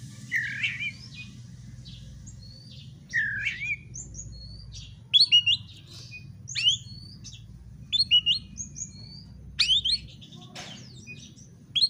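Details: Fighting-provocation song of an Oriental magpie-robin, opening with buzzy downslurred notes, then a rapid run of varied high whistled chips and sweeps repeated through the phrase, with low hum beneath.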